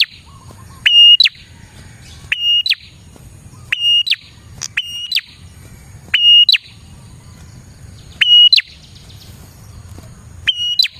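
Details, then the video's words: Energetic prinia song meant to draw in prinias as a lure: a repeated phrase of a sharp upslur, a level piercing whistle and a brief upturned tail, given roughly every one and a half seconds, a faint short trill early, low hum behind. "suara burung prenjak gacor ini 💯% Cocok Buat pikat dan pancingan prenjak bahan"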